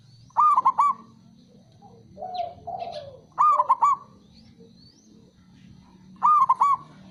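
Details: Male zebra dove, a local perkutut, calling to lure silent birds into singing again: three bright stuttering phrases of quick rolling coos, each about half a second long and spaced roughly three seconds apart, with softer lower cooing between them.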